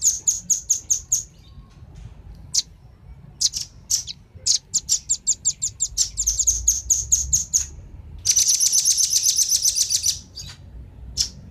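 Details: Velvet-fronted nuthatch, male and female, calling as a lure for wild birds. Rapid series of high, sharp chips, then a dense, buzzy rattling stretch before a final lone chip.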